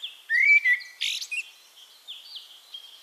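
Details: Eurasian blackbird from Castricum, the Netherlands, singing a single rising fluted note, then a harsh high scratchy burst, followed by faint distant whistles.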